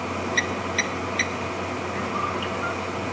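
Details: Blacksmith lapwing calling near sunset during crepuscular activity at Djuma Game Reserve, June 2, 2015: three sharp, metallic anvil-like 'tink' notes about every 0.4 seconds, then fainter notes, over steady outdoor hiss.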